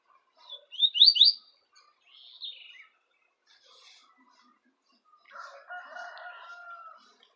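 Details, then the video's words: Double-collared seedeater, two birds about a metre apart, set against each other, one singing the Tui Tui style and one the common style: a quick burst of rising high notes, a short slurred note, then a lower steady tone over a soft hum. "papa capim Tui Tui x comum"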